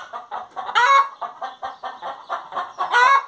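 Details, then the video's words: Hen singing: a rapid run of short clucks, about four per second, broken by two loud, harsh, drawn-out squawks. "Galinha Cantando"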